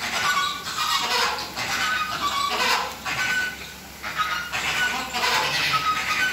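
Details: Captive Chilean flamingos of the WWT Slimbridge flock during a courtship dance, marching together. Harsh, nasal honking calls from many birds come in overlapping bursts about every second, with a steady high hiss behind them.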